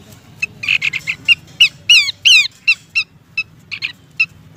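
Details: Female Abbott's babbler calling to the male, used as a lure sound: a busy run of short chattering notes near 2–3k mixed with several loud, steeply falling, harmonic-rich slurred whistles, irregularly spaced over a few seconds, with low background hum.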